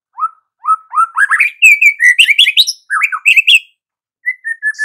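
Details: White-rumped shama singing vigorously (gacor): three low rising whistled notes, then a fast, loud run of varied warbled and chirped phrases climbing higher, ending after a pause in a few soft falling whistles.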